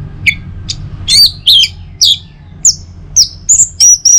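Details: Song of the Orange-headed thrush, played in the morning to spur other birds: scattered sharp chirps give way to swooping whistles and several sustained, clear high whistled notes near the end.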